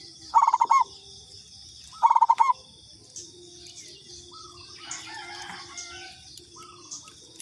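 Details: Local zebra dove (perkutut lokal, katuranggan type) used as a lure call: two loud bursts of rapid, staccato, pulsed cooing notes early on, then softer, scattered similar notes later, over a steady high hiss and low hum.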